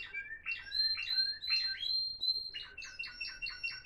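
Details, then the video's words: Three Timbrado Florealdo canaries, recorded in 2021, sing a fast, continuous run of bright whistled notes and rolling trills, with a sustained high tour and rapid repeated phrases at the end. "سنفونية رائعة لطيور تيمبرادو"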